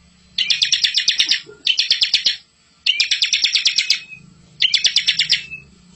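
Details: Bar-winged prinia in full rolling song, recorded as a master for young birds. It gives four dense, rapid staccato trill bursts, bright and buzzy, separated by short silences. A faint low hum sounds underneath.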